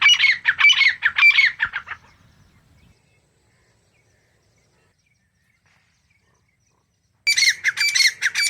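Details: Grey Francolin, wild pair of male and female in forest, calling with a quick run of rasping notes, then a long silence, then the harsh series starting again.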